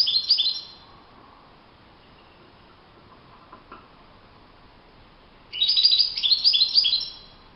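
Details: Wild European goldfinch singing in open nature: a bright burst of rapid high twittering notes at the start, a long quiet gap, then a second busier phrase of tinkling, jumbled chirps near the end.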